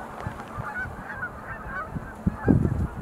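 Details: Sandhill cranes leaping in display at Montezuma National Wildlife Refuge, November 2020; softer overlapping rolling calls from the flock, ending in a sudden louder low thump of wind or handling noise.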